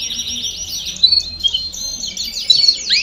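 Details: Baderna-style domestic canary song for training young birds to sing faster: nonstop rapid rattling trills and buzzy note series, sprinkled with short bright whistles, ending on a rising swoop.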